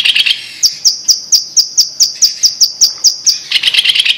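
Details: Sumatran blue-masked leafbird singing a long even series of high, sharp notes about four per second, bracketed by short dense chattering trills.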